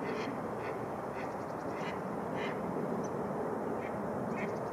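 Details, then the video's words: Mallard flocks on Rush Lake, Minnesota, drawn to open water near shore as the ice thaws in spring; scattered harsh quacks, several in quick succession, sound against a constant rushing background. "Rush Lake open for mallards"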